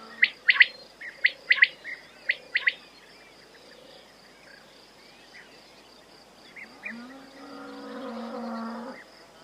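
A quail gives sharp, bright chirping notes in quick pairs and triplets, then falls quiet; a low droning hum follows near the end.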